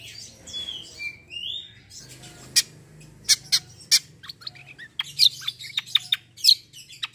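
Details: Black-winged myna singing in a vigorous fighting, rolling style: soft whistled gliding notes at first, then loud sharp clicking and chipping notes repeated at an uneven pace, over a low steady hum.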